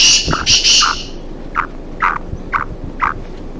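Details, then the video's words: Black francolin, one of a pair roaming free in forest, gives a loud, harsh, grating burst, then a run of short clipped notes about twice a second over a faint rustling background. "Black francolin voice"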